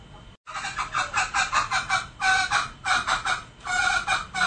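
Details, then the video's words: Lure recording of a male junglefowl: a short gap, then steady runs of harsh, clipped cackles repeated several times per second in clusters, each cluster rising and fading. "Suara Ayam Hutan jantan"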